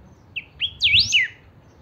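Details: Saffron finch kept as a 'pica' songster, its singing used to get other chiviros singing: a few thin rising chips building into a loud, high, looping slurred whistle that drops away at the end.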